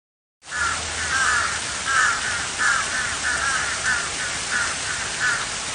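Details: Crow giving loud, close, harsh caws in a steady series, roughly one every two-thirds of a second, each a rasping nasal note, over a faint low hum and no other birds.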